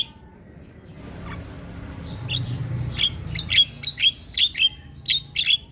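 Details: Javan myna singing at all hours, loud enough to set other birds calling: after a quiet start, sharp squeaky notes repeat roughly once a second, often in pairs, growing louder.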